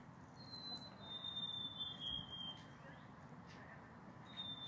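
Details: A group of Black-capped Chickadees sing to each other; one gives a clear, pure whistle sliding slightly downward, and a second whistle begins near the end, over a steady low rumble.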